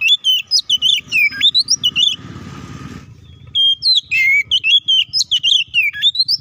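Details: Loud Oriental magpie-robin fighting song, played to make other magpie-robins agitated. Steady rapid strings of whistled and chattering notes are broken by a short burst of rushing noise before the song continues.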